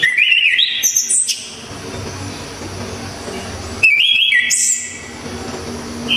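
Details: Loud, clear song of an Orange-headed thrush, called anis kembang in Java: two bursts of quick warbled whistles, each stepping upward in pitch and ending in higher squeaky notes, about four seconds apart.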